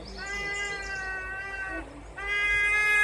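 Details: Trumpeter hornbill at Mjejane Private Game Reserve, Kruger National Park, South Africa, December 2022, giving its cat-like call: two long, nasal, wailing cries, each held over a second, like a crying baby or mewing cat.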